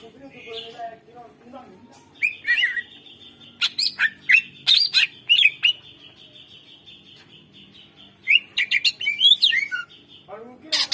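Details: Greater green leafbird singing energetically, used as a prompt for birds reluctant to sing: sharp high chirps and downward-sweeping whistled notes in bursts, with a faint low hum and murmur underneath.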